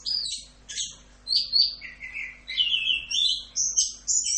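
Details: Orange-headed thrush (anis kembang) in masteran 'rock'n roll' style, starting with short shrill notes, then longer fluty whistles that step down, climb back up and end in bright high sustained tones, over a faint hum.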